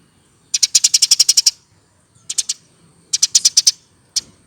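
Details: Hand-raised Eurasian tree sparrow, over one year old, singing constantly: three rapid bursts of high, dry chips, about ten notes per burst, separated by short pauses and ending with a single chip.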